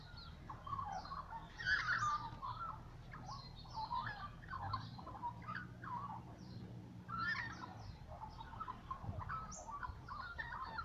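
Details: Morning song of little magpies, a continuous jumble of warbled, gurgling phrases with some brighter whistled notes, over a steady low hum.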